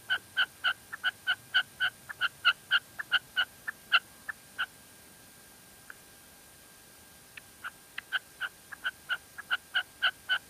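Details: Female red-legged partridge in La Mancha uttering quick, clipped notes, about four per second. The notes fade and thin to a near pause midway, then the rapid series resumes.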